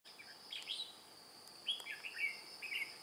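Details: Red-whiskered bulbul, a white-cheeked decoy bird used for trapping wild bulbuls, flapping its wings and beating its tail like an older bird, on 2 July 2018. It gives short warbled, slurred phrases, rising and falling, over a steady high insect whine.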